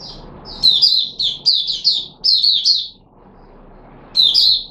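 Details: Red-whiskered bulbul (Puteh Raja) kept in a cage, fed special fruit juice and a mealworm on 13 April 2021, sings loud clustered chirping phrases in three quick bursts separated by a short pause.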